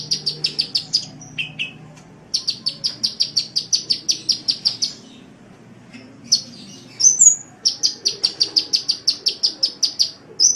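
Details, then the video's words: Sunbird masteran recording of long runs of rapid, evenly spaced high chips, about three per second, broken by pauses, a brief lower note and a sharp rising whistle in the middle. "Masteran Suara Kolibri"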